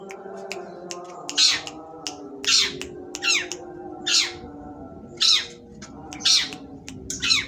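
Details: Long-tailed shrike delivering what is called sembur: harsh, raspy, broadband squawks, seven of them, spaced roughly one per second, over a steady low hum of background tones.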